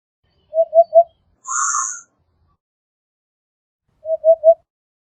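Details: Eurasian hoopoe (Upupa epops) giving soft, low hooted triplets, oop-oop-oop, repeated after about three seconds, with a brief hissing burst in between.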